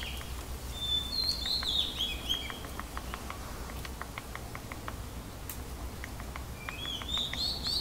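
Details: A racket-tailed treepie at a bird bath in Thailand gives short, harsh, slightly metallic call phrases that slur downward, with a burst at the start and another near the end, over rapid dry tapping, clicking and a low hum.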